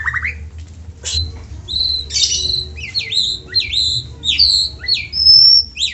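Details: Lure song from a white-rumped shama to get other shamas singing: rising whistle, harsh raspy burst, then high repeated slurred notes and a clear, ringing, sustained whistle at the end.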